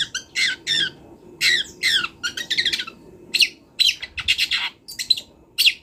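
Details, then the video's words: Long-tailed shrike song from a wild bird, recorded as a master for training: dense, fast scratchy phrases and chattering bursts with varied, mimic-like notes, steady faint background hiss. "CENDET GACOR BONGKAR ISIAN | MASATERAN CENDET BURUNG LIAR"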